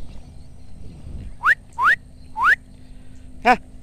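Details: Rufous-bellied eagle, kept for falconry, giving three clear rising whistled upslurs about half a second apart, followed by one harsher, broader call; faint background rumble.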